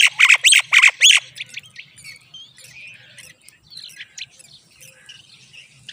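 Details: Nestling common mynas receiving moringa from their mother open with four rapid, loud, harsh rasping calls, then settle into faint twittering chirps over a low background hum.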